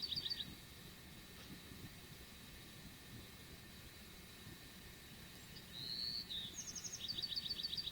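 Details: A wren, named as a "Brewer's wren", gives bursts of high, rapid chattering, then a slurred note and a fast dry trill, over a low rumble. It was stirred up on a cloudy morning among oaks, with California quail also present.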